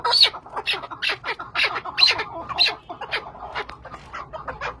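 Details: Chukar partridge, Zagros, uttering clustered harsh cackling notes with bright squeaky peaks, the phrases swelling and fading in loose bursts over several seconds.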